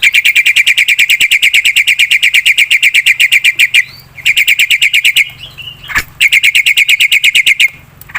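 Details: Lure recording of a black-winged myna: long runs of rapid, rasping chatter broken by brief whistled and squeaky notes, then another fast harsh burst.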